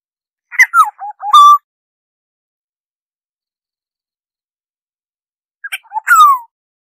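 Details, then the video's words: Oriole phrases for bird survey work: two short bursts of fluty, slurred whistles about five seconds apart, each a quick run of notes ending in a clear falling or level whistle, with silence between. "Tiếng chim vàng anh"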